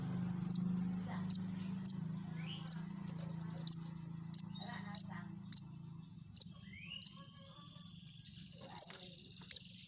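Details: Long-tailed shrike song used as a lure to make other shrikes sing, with a steady toet-toet style: sharp high notes repeated about every three-quarters of a second, a faint low hum beneath during the first half.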